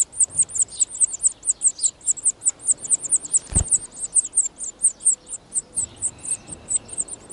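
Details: Nesting European serin in natural surroundings, spring 2018, one of the first broods: a long, dense stream of sharp, very high chirps repeated many times per second, with one brief low thump midway.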